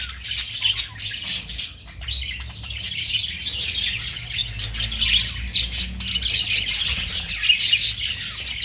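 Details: Steady high-pitched warbling and scratchy chatter from budgerigars, the Australian parrot, with scattered sharp chirps throughout and a faint low rumble underneath.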